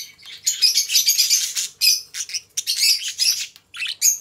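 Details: Pet budgerigars, a pair of companions, warbling almost continuously in a dense run of buzzy, grating chirps and squeaks with a few short gaps.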